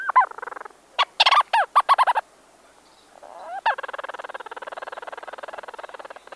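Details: Two Leach's storm petrels calling at close range inside a burrow: a burst of sharp, stuttering chuckled notes, a pause, then a long, fast, even purring churr of rapid pulses continuing to the end, in a quiet setting.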